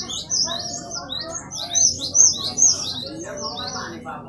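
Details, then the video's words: Glatik batu (Great tit) singing actively as a training and lure recording for caged birds; quick high, hooked, sweeping notes repeated in a steady series, some louder and sharper, over faint lower warbling. "Glatik batu gacor,cukup hitungan menit buat pancingan"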